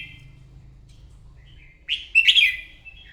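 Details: A single loud, rich warbled phrase from a wild-caught red-whiskered bulbul during a morning singing contest, preceded by quiet notes and a low hum.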